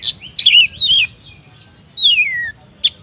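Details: Oriental magpie-robin (kacer) singing vigorously in the gacor style: a short burst of sharp high chirps, a looping whistle, then a long clear whistle sliding downward, ending with a brief high note.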